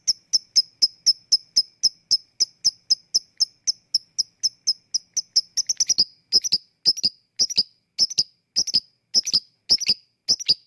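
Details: Lovebird ngetik, the ticking that leads into ngekek, used to coax lazy lovebirds: evenly spaced high ticks at first, then slowing into irregular, doubled clicks in the second half.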